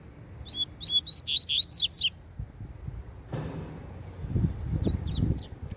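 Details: Loose double-collared seedeater singing to challenge a caged rival. A quick run of bright, high whistled and slurred notes lasts about one and a half seconds, then fainter high chirps come over low rumbling background noise.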